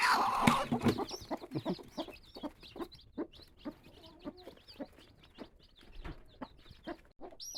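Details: Mizo native chicken chicks, newly hatched, make a steady run of high peeping notes, joined by low clucks and a loud burst of handling noise at the start.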